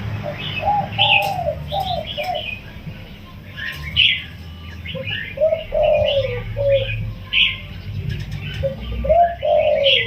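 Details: Recently caged wild spotted dove, sixteen days in captivity, crowing in yon kuk diao style with a soft voice. Groups of low rounded coos are mixed with plentiful sharp chirps and twitters from other birds.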